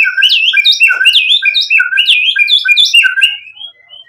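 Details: White-rumped shama in energetic full song, used as a lure to make other shamas answer and sing with emotion. It delivers loud, rich whistled phrases, repeated rapidly with rising and falling slurs. The song fades out with thin high whistles.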